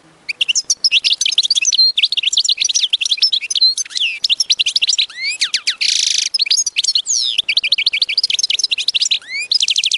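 A goldfinch sings a long, rapid run of bright tinkling twitters, trills and rising whistles, with a brief buzzy wheeze partway through.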